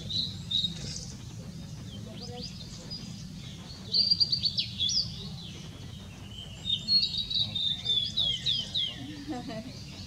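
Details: Song of a blue-and-white flycatcher, 6 May 2016: high whistled phrases of rapid slurred notes, one near the start and two longer bursts later, above low steady background noise.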